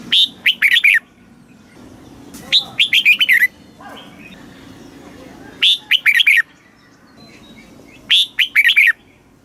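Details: Red-whiskered bulbul kept caged in Thailand, singing the southern master style used to stir up and teach birds: four short bursts of rapid, rollicking whistles, repeated every two to three seconds, with a faint low hum behind.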